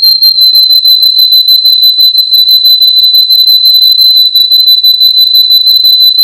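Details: Russian canary male from Miami, Florida, in a training song: one sustained, high whistled note with rapid pulsing throughout, like a fast even roll, held for several seconds with no pause.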